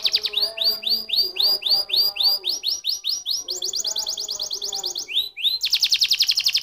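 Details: Domestic canary singing a fast rolling song: repeated high whistled and trilled syllables in rapid series, switching between several phrase types, with a buzzy trill at the end.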